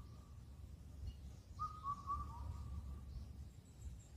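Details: Indian cuckoo, Cuculus micropterus, from Cheonmasan, Incheon, Korea, calling through the night at spring's end; a faint trailing note, then one full clear whistled four-note phrase with a lower last note, faint high bird notes behind.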